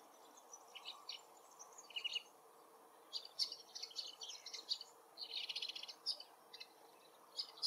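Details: A very distant Woodchat Shrike sings in forest habitat: faint, high, scratchy bursts and trills with short pauses between phrases.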